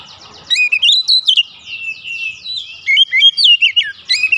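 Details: Provoked Oriental magpie-robin delivering its fill-in repertoire: a nearly unbroken run of clear, sliding whistles and rapid chirps.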